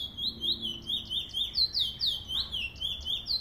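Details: Trinidad bullfinch singing a continuous, fast warble of rising and falling whistled slurs, high and bright, with notes tumbling over each other without pause; faint low background hum.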